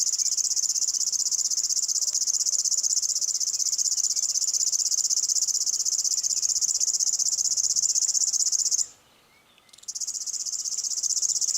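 River warbler song: a continuous, dry, insect-like buzzing chirr, high and steady, running unbroken for nearly nine seconds before a brief pause and resuming.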